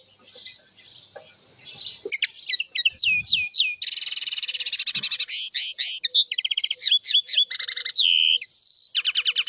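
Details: House finch in full song: rising and falling slurred whistles, a long fast buzzy trill, rattling note series and a clear drawn-out whistle, followed by quick repeated chirps.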